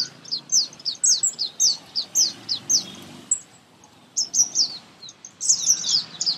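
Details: Baby birds being fed close up, chirping: rapid high thin cheeps in quick bursts, a run of about a dozen, a short pause, then more excited overlapping cheeping.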